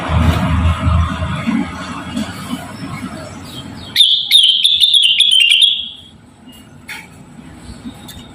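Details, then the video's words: Javan cochoa singing as training material for other cage birds. After several seconds of low murmuring background noise comes a sudden, sharp, high, thin whistle with crackling clicks. It slides slowly downward for about two seconds, then fades to quiet. "RENGGANIS / CUCAK WILIS GACOR CREWET MERDU"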